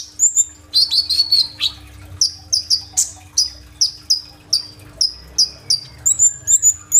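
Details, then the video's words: Kolibri ninja sunbird singing energetically, recorded on an Oppo phone and used as a lure for other birds; rapid high, sharp chirps and downslurred notes, about two per second, with brief twittering runs and a faint steady hum. "BURUNG KOLIBRI NINJA GACOR FULL TEMBAKAN ISIAN ROLL TEMBAK"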